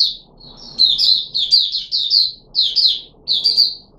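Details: Kept red-whiskered bulbul of the Puteh Raja type, recorded 13 April 2021 following special fruit juice and one mealworm. It sings a string of loud, sweet, slurred whistled notes in short groups, evenly spaced.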